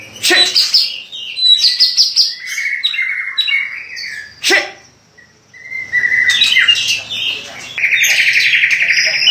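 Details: White-rumped shama song offered as training material for other birds. Bursts of rapid high chirps and trills alternate with clear whistled notes, a short pause, then a sustained buzzy mid-pitched trill at the end.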